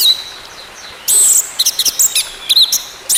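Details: Orange-headed thrush, used as therapy for a bird that stopped singing: a faint thin whistle, then a loud burst of high notes followed by quick rising and falling chirps.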